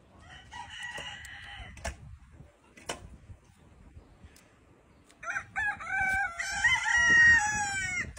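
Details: Rooster crowing amid a funny compilation: a short harmonic crow early on, then a longer, drawn-out crow with a falling end, with faint clicks and knocks in between.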